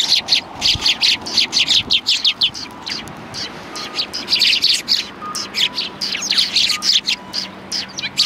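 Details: Sparrows sitting together on a bench at a Tenmangū shrine, 21 January 2020. A busy stream of sharp, high chirps repeats quickly throughout, easing briefly near the middle before the chatter resumes.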